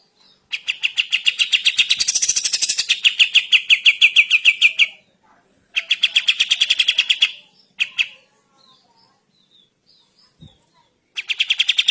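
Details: Sooty-headed bulbul in vigorous morning song, recorded as a tutor track for training birds: long bursts of rapid, rattling notes with a thin, high hiss in places, broken by pauses and short fragments.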